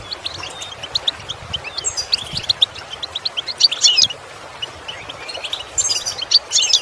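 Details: European goldfinch singing for a song-improvement lesson: loose, irregular twitters and sharp chips, building into denser tinkling runs near the middle and again at the end.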